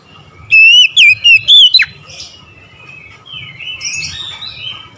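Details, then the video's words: Oriental magpie-robin in the morning: a loud run of four clear, rising-and-falling whistles ending in a sharp downslur, followed by soft, scratchy, trailing warbles. "OCEHAN KACER DI PAGI HARI"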